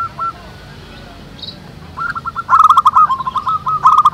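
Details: Local zebra doves cooing outdoors, used to coax other doves into song: a brief coo, then a pause, then fast rolling trilled coos building into a busy overlapping chorus.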